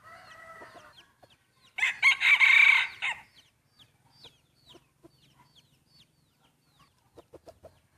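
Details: A distant rooster finishes a crow, then a nearby breeding rooster answers with one loud, grating crow about a second long during a first-time crowing contest; small birds keep chirping and a few soft clucks follow.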